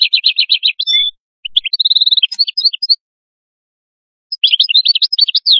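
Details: A canary's song of fast repeated chirps and quick trilled runs, a pure whistled note and scattered notes, a long silent gap, then another burst of rapid high twitters.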